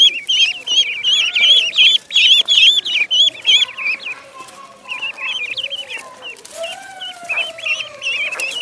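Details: High rapid peeps from a duckling in a pond, thick runs of wavering piping notes, with softer, lower drawn-out calls sliding underneath midway.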